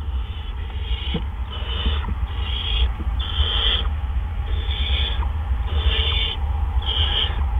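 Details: Barn owls at the nest, April 17 2013 around 8 PM, during a double gopher delivery by two adults: a run of short, harsh hissing bursts, roughly seven in a row with brief gaps, over a low electrical hum.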